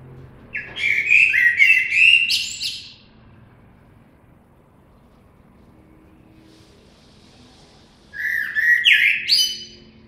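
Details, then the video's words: Two blackbird song phrases about six seconds apart, each a warbled fluty motif ending in a jumble of high scratchy notes, with soft background hum between them. "Κότσυφας. Blackbird Song & Calls"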